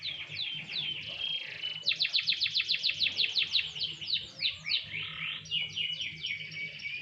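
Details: Canary in light sunbathing, delivering a quick series of downward-sweeping whistles about four per second, then looping slurred phrases and bright chirps, high and lively.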